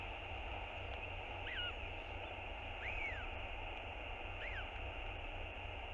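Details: A northern royal albatross chick calls nonstop to its father for food, heard on a nest camera, 7 March 2022. Three faint up-and-down whistled squeaks about 1.3 seconds apart sound against heavy wind.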